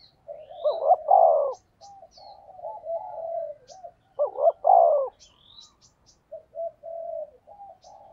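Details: Cooing spotted dove, thúc gù style, intended to lure wild doves. Two loud guttural coo bursts about three seconds apart, separated by softer wavering coos, while tiny high ticks and chirps sound faintly.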